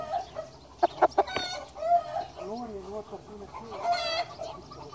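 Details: Small, docile Japanese Bantam rooster crowing: a few sharp clucks, then a wavering, warbling crow of about one second with stacked harmonics, followed by a brief harsh burst near the end over a steady background hum.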